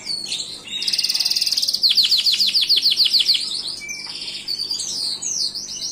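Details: A Gloster canary delivers a high buzzy roll followed by a quick run of repeated down-slurred chips, about five per second, then scattered twitters and sharp notes.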